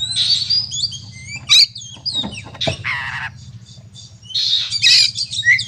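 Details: Fighting song of an oriental magpie-robin, used to goad other birds: high whistled phrases, a sharp upward slur, raspy buzzy notes and a closing burst of loud chatter, over a constant low droning hum.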